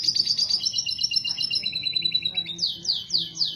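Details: Captive canary singing a mating song meant to raise breeding readiness: fast trilled phrases, a sustained rolling tour, then quick descending sweeping notes repeated about four per second.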